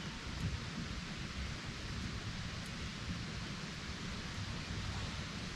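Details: Steady rain hiss with low rumbling fills a camping scene, and no animal calls are heard.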